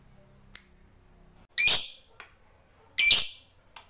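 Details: Lovebird of the fighter type, a pet bird kept by hobbyists, giving two harsh, shrill, noisy squawks about half a second long, spaced roughly a second and a half apart, with faint short clicks in between.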